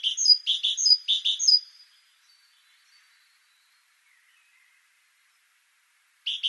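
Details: Great tit (Parus major) gives a quick run of four repeated sharp phrases lasting under two seconds, then falls silent until a fresh phrase begins at the very end.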